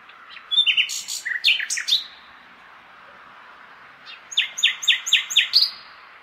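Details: Common nightingale on a May night in a big city: varied chattering notes and whistles, a pause, then a run of five strong repeated notes, against a steady low urban drone.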